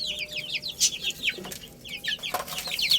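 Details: Chicken chicks feeding and playing, several bright peeps dropping in pitch in quick succession, broken by a couple of sharp knocking sounds.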